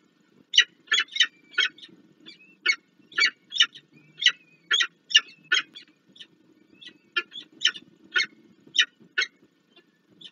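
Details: At a Warsaw nest site on the Palace of Culture and Science, Poland, 26 April 2024, peregrine falcon parents bring food and the female feeds the young; steady series of grating, scratchy calls about twice a second, with faint thin peeps between.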